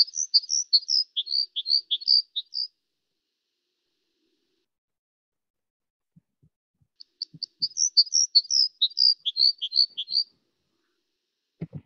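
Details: Red crossbill (Loxia curvirostra) flight call and song phrases in a soft recording, during a season of widespread breeding: two bursts of quick, high chirped and warbled notes a few seconds apart, with faint low thumps between and at the end.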